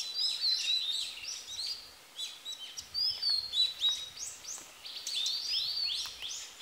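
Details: Female blue-and-white flycatcher in song: fast, crowded high whistles and upslurred notes running almost without a break, occasional sharp ticks, with a steady background hiss and faint low rumble.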